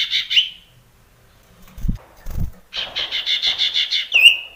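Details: Male sirtu singing against a rival, with a fast pulsed buzzy phrase, a silence broken by two low thumps, then another long run of rapid pulsed notes ending in a short whistled slur.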